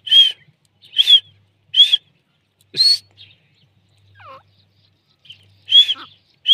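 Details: Female Deccani grey francolin giving clear, high whistled notes repeated about once a second. A few softer, lower notes fall in the middle gap.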